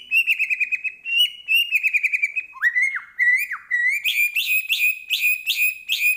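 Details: Medan white-rumped shama singing nonstop with a rich, varied repertoire: sustained wavering whistles give way to sharp upward sweeps and drops, then a fast series of bright chipping notes, all loud and clear over a silent background.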